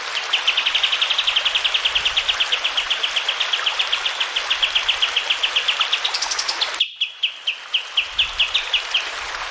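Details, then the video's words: Sooty-headed bulbul song used as a tutor track for caged birds at home. A long, rapid string of even chirps runs for about six seconds, then a brief higher burst and a few slower notes, over flowing water. "Masteran Kapas Tembak Jernih dengan suara air mengalir"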